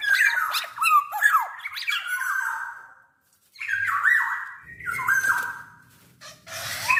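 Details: A full-voiced Black-naped oriole used to lure orioles into song gives three bursts of harsh nasal squawks mixed with sharp slurred notes, separated by short pauses.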